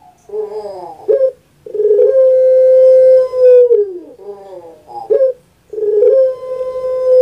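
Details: Pet puter pelung dove, famous on Java, with its kuk-gerruk-kwok coo: a short warbled opening and a quick clipped note, then a long steady tone that drops at its end. The phrase is repeated.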